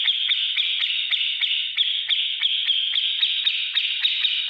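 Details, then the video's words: Grey-cheeked bulbul song in the ngetik ngipik style, used to train other caged birds: a steady, high buzzing trill broken by sharp ticks about four times a second. "masteran cucak jenggot gacor beset ngetik ngipik untuk segala burung apapun nyaut"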